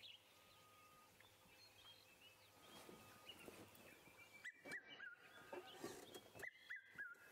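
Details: Red-chested Cuckoo calling from the top of a tree at sunrise in Sabi Sand, South Africa, in late October: loud whistled three-note phrases, each stepping down in pitch, with other small birds chirping softly against a faint outdoor hum.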